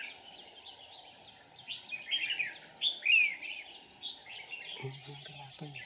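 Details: Red-whiskered bulbul serving as a trapping decoy, 7 April 2019: a cluster of lively slurred notes in the middle, faint chatter around it, and low knocking sounds near the end.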